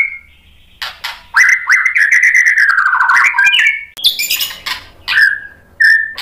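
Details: Provocation song of a white-rumped shama: a single clear whistle, then a long sustained warbling phrase gently falling, followed by high sharp notes and short ringing whistles.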